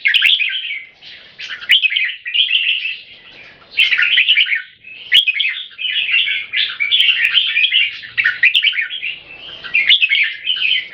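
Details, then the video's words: Two caged red-whiskered bulbuls singing against each other in controlled aggression, each trying to dominate by singing as often as possible; bright warbled, bubbly phrases follow one another almost without pause. "JAMBUL - (Birds show aggression by Butir - Singing Frequency)"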